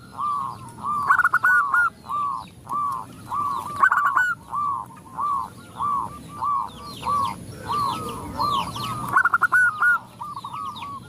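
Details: Zebra doves answering a female that calls to males: rhythmic, rolling mid-pitched coo phrases repeat about once a second, broken by louder stuttering trills, while sparrow-like high chirps sound throughout.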